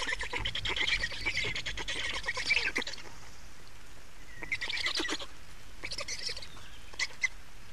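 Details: Black storks on their nest in Estonia, 28 May 2019, 15:51, during changeover and feeding: a burst of harsh pulsed rasping, then a quieter pause, then several shorter rasping bursts.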